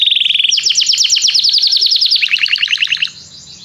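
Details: Canary song used to call a companion to sing during song training: a brief rapid high trill gives way to a long run of quick descending chipped notes, slowing into lower rolling notes before fading.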